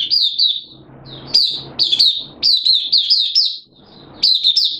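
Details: Oriental white-eye kept as a hobby bird, in open singing, recorded 8 September 2022 with its form dipped a little: bursts of bright, high, downslurred chirps in quick runs, with short pauses and faint low room noise between phrases.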